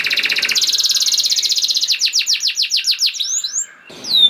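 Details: Canary singing as a prompt for other canaries: a rapid, shimmering trill shifting higher, then slower downward-sweeping notes, a short pause and a final high slur.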